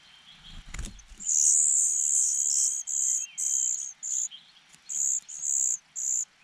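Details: Hungry cuckoo chick in a nest whose host parents feed only their own young, begging weakly. After a low thump come a long hissing high-pitched burst, then shorter hissy bursts repeated roughly twice a second.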